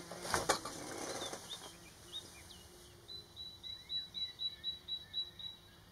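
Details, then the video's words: Kingfisher calling to its mate, filmed with a Nikon D500 and 300mm f4 lens: a loud burst of wing-flapping noise opens, then thin, high, piercing whistles repeat about four times a second in a steady series. "kingfisher calling to its mate"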